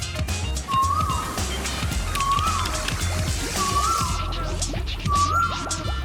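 An Asian Koel gives four clear, rising whistled notes, one about every one and a half seconds, over low background music.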